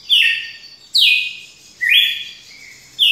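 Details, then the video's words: A red-cowled cardinal sings its long song, bright whistled phrases that swoop downward then level off, alternating with an upward-stepping note, about one per second, against a faint low hum. "Galo de campina canto longo"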